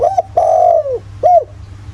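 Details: Countryside spotted dove in the 'giọng thổ' style, recorded as a lure to make other doves call; a short opening coo is followed by a drawn-out descending coo and a brief rounded closing note, with faint background hum.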